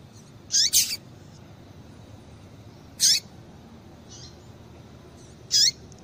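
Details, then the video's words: Female Rusty-collared Seedeater giving calls meant to stimulate males to sing: a high, sharp double chirp, then single thin chirps about every two and a half seconds, one faint, over a soft steady hiss. "Piado de Fêmea de Coleiro Com Piado de Fêmea de Coleiro Quente para Esquentar Coleiro tui tui"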